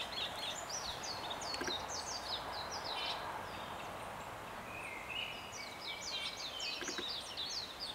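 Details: Chestnut-cheeked starling singing loudly to declare territory in early spring on the Iizuna Plateau, Japan, before fighting between males broke out: squeaky, chattering high notes in quick bursts, a drawn-out level whistle midway, over steady rushing hiss.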